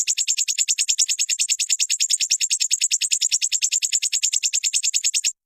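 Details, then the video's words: Crimson sunbird, a bird kept in cages and trained to sing, gives a sustained, machine-even high trill of quick identical pulses that stops abruptly near the end. "Dalam hitungan menit burung sogonmu ikutan gacor dan ngeleper"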